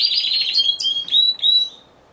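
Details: Timbrado Español canary at a November 2015 singing contest, individual C2 class; a short fast trill followed by three clear level whistled notes before silence.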